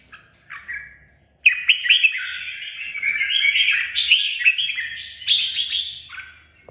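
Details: A few soft notes, then a red-whiskered bulbul, a Vietnamese cage bird, launches into a long, rich phrase of mellow, rising and falling warbled whistles lasting about five seconds.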